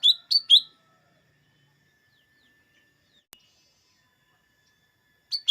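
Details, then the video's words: Lesser green leafbird (cucak ijo mini), used to make green leafbirds sing before contests: three rapid sharp downslurred chirps, then a long quiet pause with a faint steady tone and a click, and two more chirps. "Suara burung cucak ijo mini atau cucak daun"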